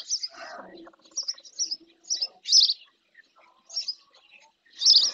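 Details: Near its nest in the Doñana marshes at El Rocío, Andalusia, Spain, a female spotless starling bathes in a lagoon before a fixed camera. Sharp, high chirps come in short separate bursts, with a faint lower rustle at the start.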